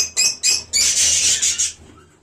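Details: A budgerigar colony kept as pets, 1 January: a few sharp chirps, then a long, loud, harsh chattering squawk lasting about a second, followed by one more chirp and a fading quiet.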